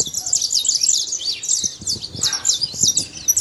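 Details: Free-living saffron finch in nature: dense chain of high, rapid chirps and tweets running without a break, thin and bright, over quiet low noise.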